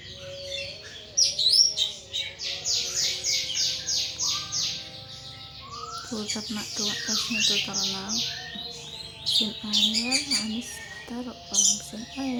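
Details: Caged thrush, a pet kept by a hobbyist in Indonesia, singing in the ngeplong style: a run of rapid repeated high downslurred notes, then varied sweeping phrases with lower fluty notes and quick chattering bursts.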